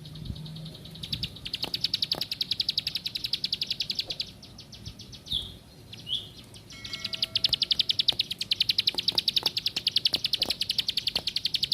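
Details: High, rhythmic ticking notes from a plain prinia start the recording, then break into two short squeaky chirps before a long, dense trill resumes, with scattered clicks and a low hum.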